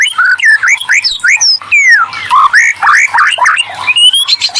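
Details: White-rumped shama singing as a lure for reluctant shamas: rich whistled phrases swooping up and down, interspersed with squeaky scratchy notes, delivered in quick bursts with brief pauses between.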